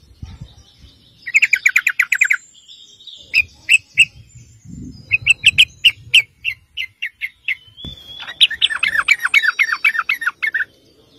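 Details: Sooty-headed bulbul singing to lure other bulbuls: quick trilled burst of chirps, then spaced sharp ticking notes, and a final long rapid stream of bubbly chirps, with a soft low thump midway.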